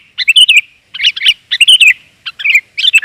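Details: Female sooty-headed bulbul 'gajor' call, played to attract males: four short, bubbly warbled phrases, each under half a second, spaced by brief silences on a clean background.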